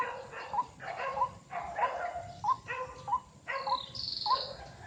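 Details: White-breasted waterhen in a snake-fruit (salak) garden, drawn by a lure to a trap: short hooked croaking notes with harsh buzzy overtones, repeated roughly every half second. A thin high insect whine enters near the end.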